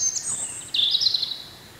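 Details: Spring song of a wild European robin: a very high thin whistle followed by a quick burst of warbled, trilling notes that waver in pitch, fading out into soft background noise.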